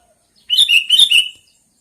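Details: A single short sooty-headed bulbul phrase of four quick, bubbly, slightly burry notes run together, loud and clear against silence.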